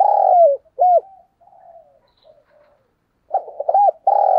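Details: Spotted dove coo in the 'chìm' style used as a decoy to stir up wild doves: loud hooked coos open and close the clip, with faint murmured notes between them and a gap of silence.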